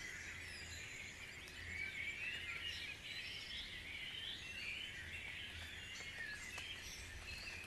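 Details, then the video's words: Many birds singing together at dawn in Guisborough, a busy wash of high twittering, quick chirps and thin whistles overlapping throughout, with a faint pulsing low rumble beneath the birdsong. "Dawn Chorus"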